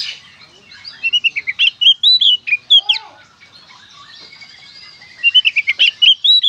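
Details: Oriental magpie-robin singing in the lively gacor konslet style, used to prompt other magpie-robins to sing: bursts of sharp, rapid chirps and whistled slurs near 3–4k, a quiet gap mid-clip, then another fast chattering burst.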